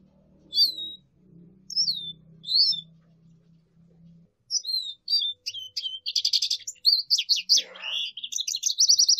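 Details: Lesser goldfinch starting with three separated falling whistles over a low steady hum, then breaking into a fast, dense twittering song of high chips, trills and buzzy notes.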